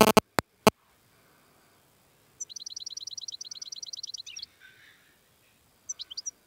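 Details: Sharp loud clicks open, then a wild European goldfinch sings a tebnija trill of fast, high, evenly repeated notes ending in a buzzy twist, followed by a soft pause and a short high phrase.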